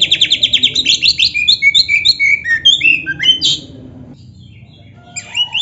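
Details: Oriental magpie-robin singing to stir rival birds: a rapid run of repeated sharp notes at the start, then varied whistled and slurred phrases that fade into near silence, with a brief return of notes at the end.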